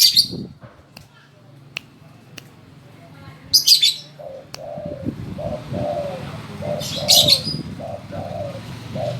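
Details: Spotted dove trained to call when told, giving a run of short, low, hollow coos in an uneven series, broken by sharp high chirps from another bird and faint clicks.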